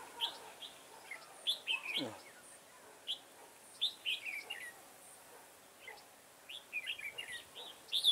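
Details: Red-whiskered bulbul song recorded during garden trapping on 9/10/2017. Short bright whistled phrases with slurred rising and falling notes come in bursts separated by short pauses, with one brief descending low sweep early on.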